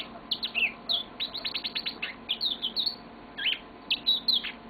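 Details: Yellow-fronted canary, a pet bird, singing a long song indoors: a rapid run of bright chirped notes, sharp downward strokes and short whistles, about ten per second in bursts, with a steady low hum behind.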